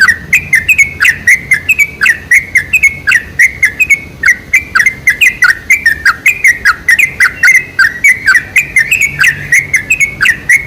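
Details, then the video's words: Loud, continuous sooty-headed bulbul chatter, used as a lure to make other bulbuls sing: crisp, rapid chirps and brief falling whistles run together without letting up. "PANCINGAN SUARA TRUCUK TERBAIK"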